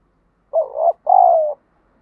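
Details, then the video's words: Trained decoy spotted dove calling to provoke fighting: a single loud two-note coo, a brief wavering hoot then a longer, steady, slightly descending coo. "chim cu gáy thúc đấu, tiếng chim cu gáy kích bổi rất lẹ nổi, tiếng chim cu gáy luyện mồi hàng ngày"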